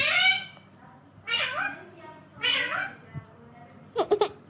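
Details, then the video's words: Parrot speaking, the phrase given as asking mummy to give it roti: three short, harmonically rich, nasal voice-like syllable bursts with bending pitch about a second apart, then a quick cluster of sharp clicky notes near the end, indoors. "parrot speaking mummy mitthu ko roti do"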